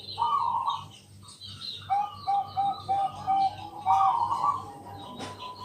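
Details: At night, a Bangkok zebra dove sings as a lure for other doves: rapid short coos in a steady series, framed by brief rolling notes. Higher chirping birds and a steady low hum fill the background.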